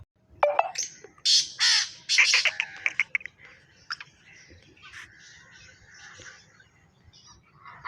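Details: Harsh grating call of a black francolin, several loud, coarse, buzzy notes packed close together at the start, trailing into fainter scratchy sounds and a low background hum.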